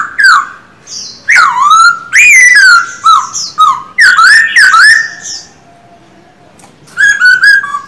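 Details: Silver-eared laughingthrush, a caged male kept for singing and trained daily: bursts of rich downslurred whistles, some rising then falling, strung into lively phrases, a faint steady tone during a brief gap, then quick high notes.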